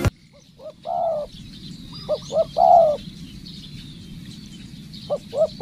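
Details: Spotted dove used as a decoy bird in training, giving rhythmic coos: two short low notes followed by a longer drawn-out coo, the phrase repeated twice with a soft start of a third, over faint background chatter of small birds.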